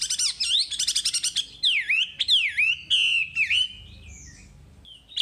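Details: Wambi tutor song: dense high trills open into a run of loud, downward-sweeping whistles that end in level tones, followed by a softer pause and a last brief note.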